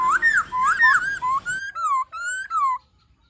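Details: Laughingthrush song in the wild style, meant to rouse and coach young caged birds: a run of rich, slurred whistled notes, each swooping down then up, about seven phrases in quick succession before ending abruptly into silence.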